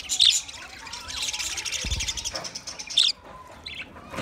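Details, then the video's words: High, twittering chatter from a group of twenty budgie pairs, broken by sharp squeaky notes near the start and again around the third second, with a brief low thud midway and a quieter stretch toward the end. "10 minutes 20 Budgie pairs chirping sounds | Beautiful parrot singing"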